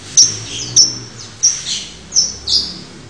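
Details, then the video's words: Long-tailed shrike giving five sharp, high, squeaky chirps spaced about half a second apart, each with a brief buzzy tail. The background is quiet. "cendet untulan"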